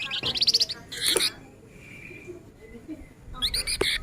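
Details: Male flamboyan in full nyerecet rapat chatter, giving a quick run of sharp high ticks, then a bright buzzy burst, a pause with soft background sounds, and another loud clipped trill.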